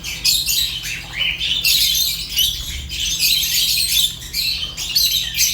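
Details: Fischer's lovebird chirping almost nonstop: shrill, scratchy high-pitched squawks and chatter in dense overlapping bursts with only brief gaps.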